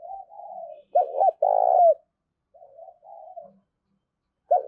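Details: Spotted dove giving a call used to lure wild doves: soft, wavering coos alternate with two loud, clipped double coos, then further quiet coos and another loud coo starting at the end; no other sounds.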